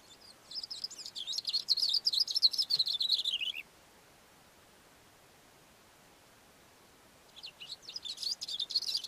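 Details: Cape grassbird singing from a rock on a mountain slope: a rapid, high jumbled warble of scratchy notes that drifts lower toward its end, then a pause of several seconds before another fast high burst begins.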